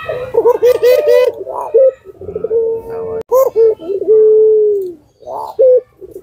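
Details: Repeated short bouncing coos from a puter pelung lure dove open the sequence, followed by long level low coos and clipped notes. Human voices are heard in the background early on.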